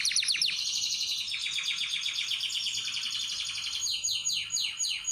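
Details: Canary singing in a breeding room where birds are prepared and paired for mating: rapid rolling trills of repeated high notes, a fast descending series at the start, then a long steady roll and falling sweeps near the end.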